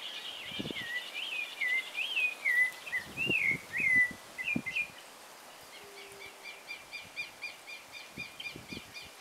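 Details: Dawn song of a rufous-bellied thrush in a garden: a flowing series of clear whistled, slurred phrases, then another bird's quick high repeated chips about twice per second, with occasional low knocks.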